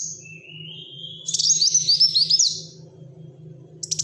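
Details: Black-throated sunbird singing busily in tight bursts, used to prompt and tutor other birds: a long thin rising whistle, then a quick cluster of sharp high chirping notes, over a constant low electrical-sounding hum.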